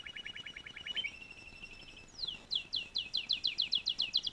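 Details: Canary singing: a fast even trill, then a high sustained whistle, followed by a rhythmic series of rapid falling sweeping notes, over light background hiss.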